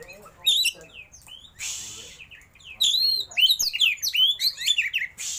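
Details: Oriental magpie-robin giving a mimicry-filled song with a rolling, rapid-fire delivery: scattered high whistles, a short hissing burst, then a dense cascade of sharp, sweeping notes and chirps.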